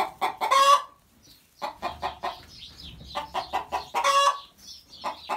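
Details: Barred Plymouth Rock hen giving her egg song after laying: a series of loud, harsh clucks punctuated by two drawn-out squawking cackles, with short pauses between bursts.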